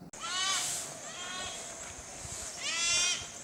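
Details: Sri Lanka grey hornbill recorded in Sri Lanka, giving two harsh, nasal, bleat-like squeals about two and a half seconds apart, over a faint steady hiss.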